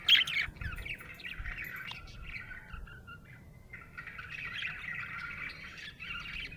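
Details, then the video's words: Happy budgie chirping in a steady stream of buzzy, warbled chatter, with a louder squawky burst at the start and a short pause midway before the chatter resumes. "Happy budgie chirping sound"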